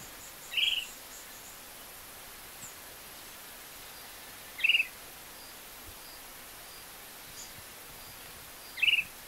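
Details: Short-crested flycatcher (Maria Cavaleira) recorded in the town of Ouro Preto, Minas Gerais, Brazil: three short, bright, slightly burry calls spaced about four seconds apart, with faint high insect or bird ticks in the quiet background.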